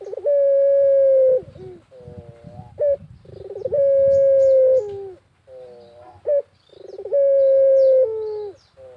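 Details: Three rhythmic cycles of barbary dove cooing, about every three and a half seconds: a long level hoot dropping at its end, softer coo notes, then a short clipped upslur; distant bird chirps faintly behind.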